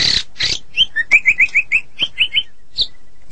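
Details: Medan White-rumped shama: two harsh noisy bursts followed by a rhythmic series of short whistled notes, about four per second, ending with a single higher note.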